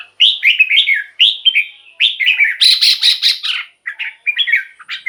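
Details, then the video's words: Red-whiskered Bulbul in captivity, its song used to rouse other caged birds. Lively chains of short, warbled, whistled phrases with slurred, dipping notes, broken midway by a scratchy, buzzy rattle before the whistling resumes. "เสียงนกกรงหัวจุก สำหรับต่อ หรือ เปิดให้นกคึก เสียงเพราะๆ"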